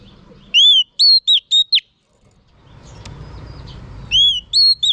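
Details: Female Oriental magpie-robin singing to stimulate males: bursts of clear, high, slurred whistles, five quick notes, then a pause and a second burst; faint background hiss between phrases.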